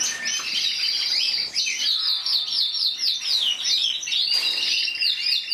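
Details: Caged intense yellow canary, 2014 champion of Spain with 94 points, sings looping whistled phrases, each note swooping up and down, in a fast repeated chain.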